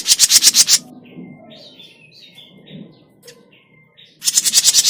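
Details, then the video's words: Grey-cheeked bulbul, played as a lure call for trapping birds: a fast run of harsh, buzzy high notes for under a second, then faint scattered chirps and short whistles, then another rapid buzzy burst. "SUARA PIKAT CUCAK JENGGOT MINI"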